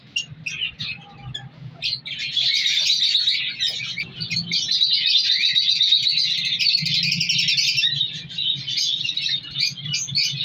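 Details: Captive African colour lovebirds in a breeding colony, shown with mutations, fill the air with dense, shrill, high chirping and chattering that runs almost continuously, swelling louder from the second second onward, over a steady low hum.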